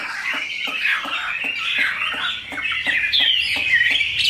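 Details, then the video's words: Large tame Chinese hwamei in a cage singing a continuous, slightly muffled warble of blended whistles, brightening with higher clear notes in the last second, with regular ticking throughout. "Mi họa thuần, bộ to, chất giọng cực hay"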